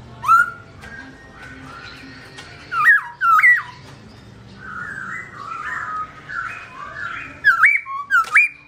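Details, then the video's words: A captive black-throated laughingthrush (Garrulax chinensis), singing while its owner is away, gives loud, rich whistles that rise and break sharply, in bursts a few seconds apart, with softer chattering notes between them in a quiet room. "Bird Garrulax chinensis: Birdsong Chirping Melodious"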